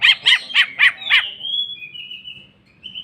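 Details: Greater green leafbird unloading its repertoire in jamtrok song: five harsh, bark-like notes about a quarter-second apart, followed by a long, steady, thin whistle.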